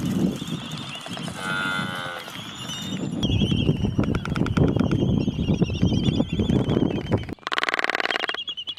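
Black-footed Albatrosses give low, groaning moos with a whistled, harmonic wail, and rapid bill-clattering runs through the calls; a loud colony din underlies them.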